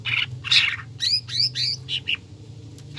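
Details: Lure for caged greater green leafbirds, with tengkek buto fill, to encourage nonstop singing: quick chirps and rising whistled slurs about twice a second, a harsh scratchy note near the start, and a faint low hum underneath.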